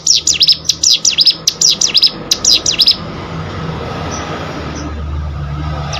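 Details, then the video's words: Cigun, or hill prinia, singing as master audio for competition birds: three seconds of sharp, rapid, high V-shaped chirps in short clusters, followed by a steady low rumble like passing traffic. "CIGUN ATAU PRENJAK GUNUNG!!! MASTERAN UNTUK BURUNG LOMBA"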